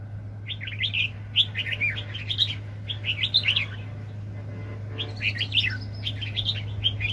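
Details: Red-whiskered bulbul kept as a highly aggressive trapping decoy, 2020: continuous lively chattering and warbled whistles in quick rising and falling phrases, briefly pausing midway before resuming, over a constant low electrical-sounding hum.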